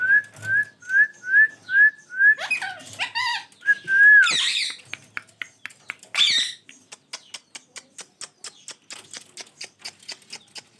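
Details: Ringneck parrot pair: a row of short, rising whistled chirps, then tangled screechy squawks with wavering tones, fading into a long series of dry, regular clicks.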